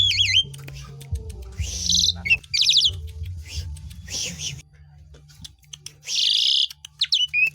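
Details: Asian pied starling (jalak suren) singing, used as a lure to get other birds singing; varied loud whistles, wavering fluty notes and harsh rasping bursts in quick succession, with a low hum and faint voices underneath.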